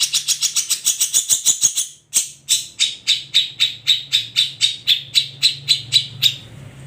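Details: Cendet, the long-tailed shrike, from an ombyokan group: a rapid burst of scratchy notes, a brief pause, then steady ringing notes repeated about three times a second.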